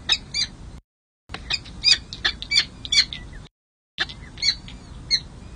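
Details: Peregrine falcons at a San Jose City Hall nest, California, on 2 May 2024, at hatching and the first feeding of two chicks. Loud, grating notes come in irregular clusters, with brief silences between them.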